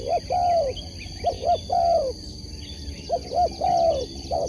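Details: Spotted dove kept for sport, three close cooing phrases, each a pair of quick notes ending in a drawn-out downslurred coo, with faint small-bird chirps in the background.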